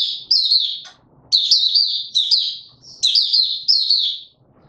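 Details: Male white-eye, or mata puteh, open singing on 31 December 2021 while brought into form: loud, high, rapid warbling runs of sliding chirps, delivered in several bursts with brief silent gaps and faint low rustling.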